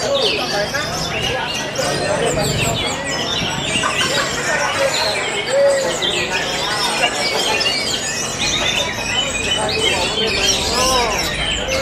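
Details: An orange-headed thrush, a competition songbird, sings a rich, nonstop run of varied whistles, slurs and chattering notes, with faint voices and background noise underneath.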